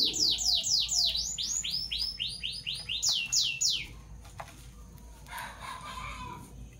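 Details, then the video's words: Parblue violet and parblue turquoise Fischer's lovebirds in the morning, pouring out fast, loud, high chirps that each slide downward, about four a second for four seconds. Quieter scratchy chatter follows. "Lovebird Chirping Sounds"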